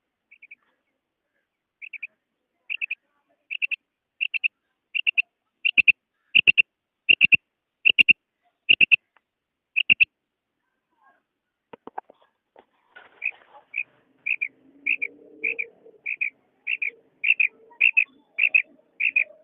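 A quail repeats a short, sharp whistled note at a steady, quick pace.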